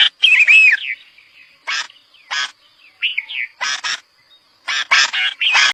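Red-vented bulbul giving about eight harsh, scratchy chatter bursts mixed with short bubbling, warbled whistles over six seconds, with a faint thin steady whine behind.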